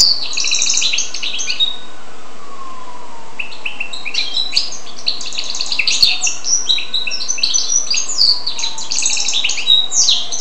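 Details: Goldfinch x canary hybrid delivering a long, lively warbling song of rapid chirps, rattles and metallic twitters, with a brief pause near the middle, over a faint low sliding tone in the background.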